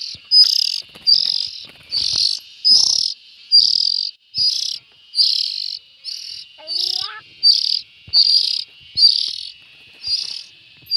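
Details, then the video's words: Continuous run of raspy, hissing calls from young bulbuls, over a dozen bursts at about one per second, with a brief rising whistle partway through and scattered faint clicks. "Tiếng chim chèo non.suab mi nyuam noog siv txaij"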